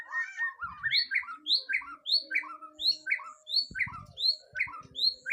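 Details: White-rumped shama on its first mental test, repeating short rising whistled notes about twice per second over a softer chatter. There are faint knocks and a low hum.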